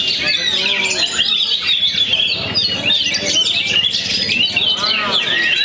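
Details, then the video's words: Young Oriental magpie-robin from Perbaungan, singing after its moult: loud, varied whistled and buzzy phrases with rapid rising and falling sweeps, almost continuous over several seconds, with other birds chirping and faint human voices behind. "KACER ANAK PERBAUNGAN PASCA MABUNG TURUN GUNUNG"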